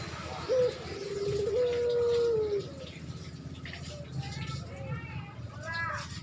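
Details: A male spotted dove in breeding condition calling a female gives one drawn-out, low coo of about two seconds that steps up slightly then slides down at the end, with faint chirps from other birds after.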